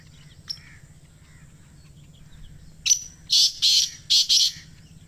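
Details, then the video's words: A single black francolin phrase near the end: four loud, rasping, broadband notes in quick succession after a near-silent start with a faint distant chirp. Used to prompt captive francolins into calling. "Kala Teetar Ki Awaz | Black Teetar Voice Challenge 2026/کالے تیتر کی آواز"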